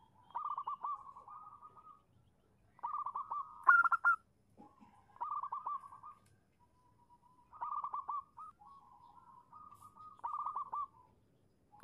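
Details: Calling female zebra dove used as a lure for males: soft rapid bubbling coo phrases about every two to three seconds, one louder burst near the fourth second, quiet pauses between phrases.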